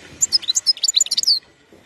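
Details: European goldfinch, 2021: a short, bright burst of quick, high-pitched tinkling and twittering notes, about a dozen in rapid succession, then quiet.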